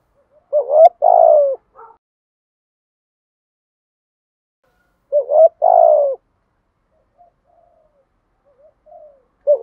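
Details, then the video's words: Spotted dove decoy bird cooing in the urging thổ manner: two loud phrases of a short rising note and a longer falling coo roughly five seconds apart, with faint hoots between. "chim cu gáy mồi gù thúc bài bản/ chim cu mồi gù thúc giọng thổ rất bài bản"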